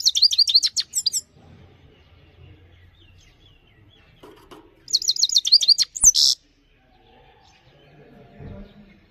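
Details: Two bursts of bright, high, rapid chattering notes from a Himalayan goldfinch, the second ending in a loud upward-swept squeal, with quiet pauses between.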